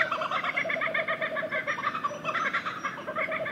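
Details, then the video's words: Kookaburra laughing song, which recalls a human laugh: dense, overlapping cackling notes run on steadily, rising and falling in waves, softer and more distant. "Canto da kookaburra"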